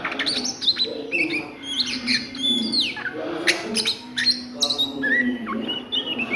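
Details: Oriental magpie-robin in ngriwik style at midday, giving scattered high whistles, thin upward sweeps and sharp clicks separated by short gaps, against a low humming background.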